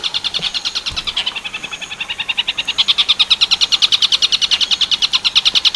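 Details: Training song of a long-tailed shrike, tengkek buto werkudoro variety. Fast, high, buzzy-edged notes repeat about three per second, starting softer and growing louder toward the end.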